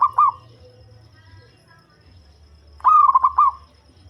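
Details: Local zebra dove with a deep, bass voice, kept as a lure for trapping, giving a short rolling coo at the start and a fuller phrase near the end: a low note, then a quick run of three or four bubbling trilled notes; otherwise quiet.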